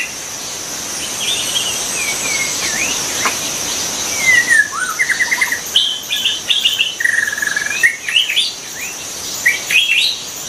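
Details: White-rumped shama singing in the wild: varied whistled phrases, slurred notes, rapid trills and rising sweeps in irregular bursts, over a constant high insect drone and steady background hiss.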